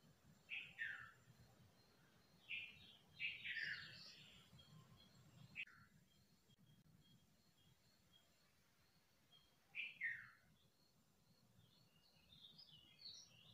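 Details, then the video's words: Common nightingale singing short, rich phrases of chirps and warbles, separated by pauses of a second or more, over a low rumbling background. "Nightingale song | Beautiful voice of nightingale bird"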